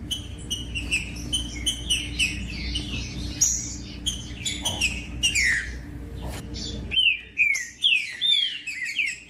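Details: Singing green-winged saltator, played to get captive birds singing strong and motivated. Dense chirps and whistles overlap at first, then after a brief break come clear, loud, downward-slurred whistled phrases in quick succession.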